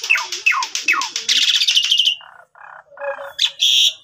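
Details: Asian pied starling lure song for young birds: quick falling whistles, dense buzzy chatter, blocky nasal notes and a final harsh buzz.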